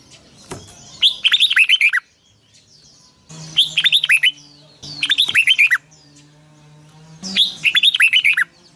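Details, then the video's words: Morning song of a red-whiskered bulbul used for training birds, 'long twisted double voice': four quick phrases of sharp, descending whistled notes separated by short pauses, over a faint low steady hum. "Luyện chào mào hót sáng 2020, Giọng kép xoắn dài Quá hay"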